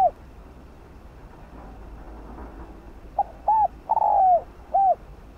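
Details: After a quiet stretch, a decoy spotted dove luring other doves gives one phrase: two short hooked notes, a long downward-sliding coo and a final arched note.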